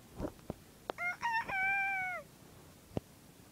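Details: Bantam rooster crowing: a broken, stuttered opening, then a long held harmonic note that sags and falls away at the end, about a second long. Sharp clicks and knocks come before and after.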